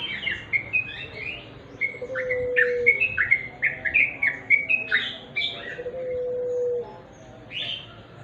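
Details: {'caption': 'Trucuk, or sooty-headed bulbul, in natural dim-light song: a busy stream of chattering, slurred chirps, several per second, broken by two long steady low whistles and ending in a final high burst.'}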